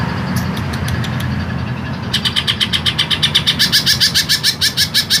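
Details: Long, harsh green leafbird song used as masteran: sparse clicks at first, then a rapid run of loud buzzy, rasping notes repeated several times a second, with a low engine-like rumble beneath.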